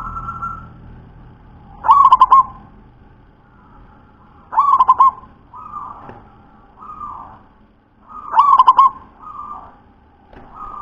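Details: Deep-voiced local wild-type zebra dove in full song: three trilled coo phrases of fast rolling pulses repeat about every three seconds, with softer short coos between them.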